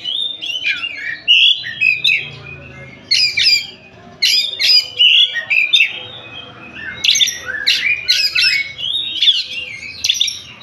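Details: Oriental magpie-robin (kacer, Tasik type) singing freely: bursts of loud, varied whistles and harsh, scratchy chatter in short phrases separated by brief pauses, with quiet background hum.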